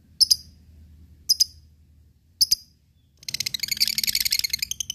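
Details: Lovebird singing in the long ngekek style, used to provoke rivals and train fighting birds; three sharp high chirps spaced about a second apart, then a dense, rapid, shrill chattering trill bursting in and running continuously to the end.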